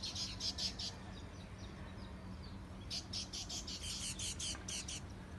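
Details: A bird gives rapid trains of sharp, high chirps in two bursts, separated by a quieter pause, against a soft noisy background.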